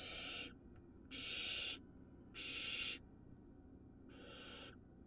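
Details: Wild barn owl nestling swallowing a large vole: four harsh, breathy hissing screeches, each about half a second long, spaced roughly a second apart and fading slightly toward the end.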